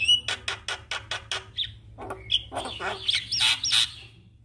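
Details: Javan myna roused to sing by a lure recording of a lively myna: a steady series of evenly spaced dry clicking notes, a whistled note, then dense harsh chatter with squealing whistles.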